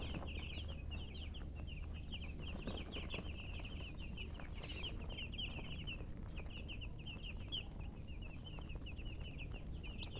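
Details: Chickens keep up a busy stream of short, high, wavering chirps, pausing briefly midway before resuming, over a persistent low droning background noise.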